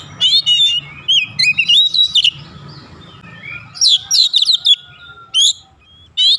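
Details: Oriental magpie-robin singing when agitated, short bursts of varied whistled and chattering notes separated by gaps, over a low murmuring background hum.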